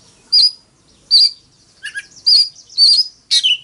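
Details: Oriental magpie-robin giving a fighting song of loud, sharp, high whistled notes spaced about half a second apart, with one lower slurred phrase.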